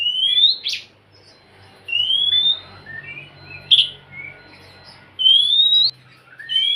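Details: Oriental magpie-robin singing to coax a quiet bird into song: long clear upslurred whistles recurring every couple of seconds, interspersed with short sharp chips and soft twittered notes over a faint hum.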